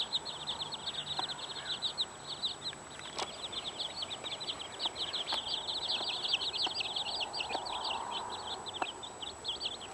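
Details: Fifteen chicks with their mother hen keep up constant high-pitched peeping, rapid overlapping downslurred cheeps in a busy chorus, broken by a few sharp clicks and soft background hiss.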